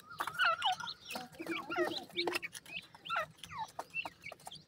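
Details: Captive Black francolin chicks, said to be getting weak, peep repeatedly: thin high whistles that drop sharply in pitch, several birds calling over one another with faint knocking in the background.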